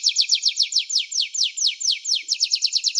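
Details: Canary performing a rapid series of steep descending high notes, a little over two per second, speeding into a tighter cluster at the close.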